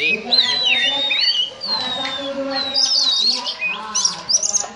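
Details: Short ngobra passage from a kacer, or oriental magpie-robin, likened to a cobra: long thin whistles sliding downward, then a rising note and quick chirps, over a steady low background hum.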